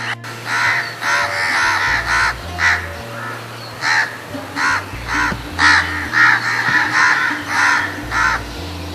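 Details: Crows scolding harshly as they mob in the face of danger: rough caws come about twice a second, bunched into ragged series, over a steady background of music.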